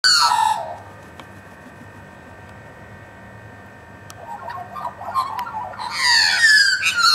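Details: About 20 local Australian magpies scavenging and being fed meat give rich, warbling, flute-like notes in two bursts, one opening and one closing the clip, with soft chatter and quiet between them.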